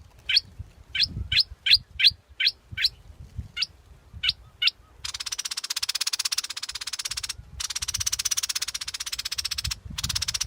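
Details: Scarlet-backed flowerpecker repeating crisp, high, downward-flicking chips about twice a second for several seconds. Afterwards a steady, rasping, rapidly pulsed insect-like drone fills the background, broken by brief pauses.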